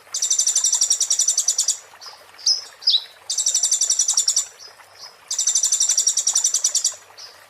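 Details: White-eye called konin singing 'muntah beling', a master song for magpie-robins: three rapid, harsh, high trills of one to two seconds each, with sharp twisting chips in the gaps.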